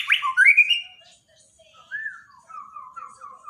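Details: Borneo white-rumped shama from a daily training recording for a silent bird: a sharp high note and a bright whistled phrase, a pause, then a string of clear mid-pitched whistles falling slightly.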